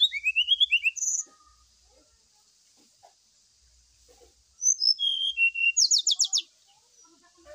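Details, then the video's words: Lure song of a brown-chested jungle flycatcher, played during morning dew airing to spur a bird into singing: a rising whistled run, then after a pause sharp high notes and a rapid buzzy trill. "TERAPI SRDC DAN PANCINGAN SRDC WAKTU DI EMBUNKAN ,JAMIN CEPAT BUNYI NGLUARIN ISIAN"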